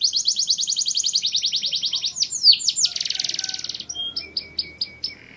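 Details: Singing canary delivering a fast, even trill of sharp repeated notes, a few loud swooping whistles, then a dense buzzy rolling trill and sparse clipped chips at the end.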